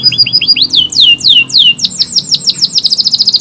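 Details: AF canary song of tight, sustained delivery: a few clipped chirps, then broad descending whistled slurs, accelerating into a fast rolling trill of high notes.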